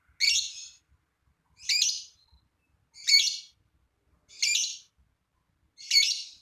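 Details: Lovebird voice in a recording aimed at prompting other lovebirds to sing: five separate harsh, scratchy chirps, each about half a second, spaced roughly every 1.4 seconds with silence between.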